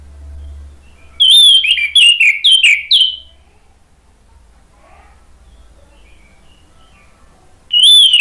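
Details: Orange-headed thrush singing loudly, recorded as a lure to restart a stalled singer: a fast string of sweet, slurred whistled notes for two seconds, a long pause, then a new phrase begins.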